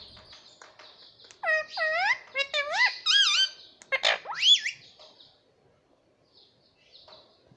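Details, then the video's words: Baby pet green parrot indoors giving a run of squeaky, harmonic calls, each sweeping up or bending down and up, about a dozen notes packed into three seconds, then near silence with faint room noise. "Baby Parrot Voice _ 🦜☺️🥰 _ Parrot voice _ parrot sound"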